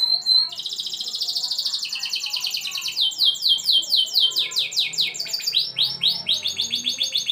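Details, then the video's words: Canary tutor song for teaching young birds to sing: a continuous high, fast rolling trill that shifts into repeated downward-sweeping whistled notes, several per second. "terapi masteran kenari efektif untuk kenari muda agar cepat gacor"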